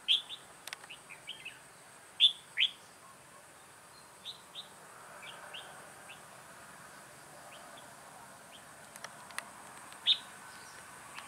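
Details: Red-whiskered bulbul, lưng tôm ngực nở type, used as a decoy bird for trapping, in a recording from 2 October 2018. Short bright whistled phrases at scattered intervals, a few louder notes standing out, with softer chirps between and faint clicks.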